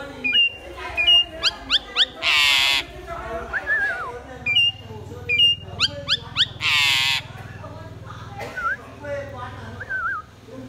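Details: Pied myna song repeated twice: clipped high whistles and fast rising notes lead into a loud harsh rasp, then wavering descending whistles, with a low hum in the background.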